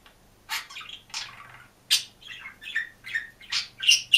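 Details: Green budgerigar, kept alone in a cage, chattering and singing: a rapid, uneven string of scratchy, squeaky notes and short warbles rising to sharper chirps at the end.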